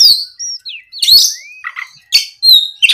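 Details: Varied song of an Oriental magpie-robin provoked by a rival, with high whistles, a rising slurred note, buzzy chattering bursts and sharp piercing chirps.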